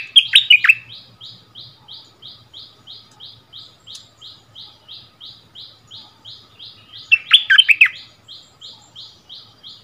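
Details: Bulbul song duel between a decoy bird and the local territory holder, February 2021: a long even train of short buzzy notes, about three per second, framed by two brief bursts of loud slurred whistles.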